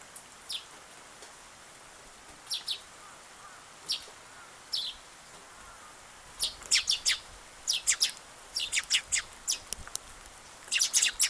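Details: Visiting sparrow on 8 August giving high, sharp single chirps spaced a couple of seconds apart, then quickening into rapid clusters of bright chirps toward the end.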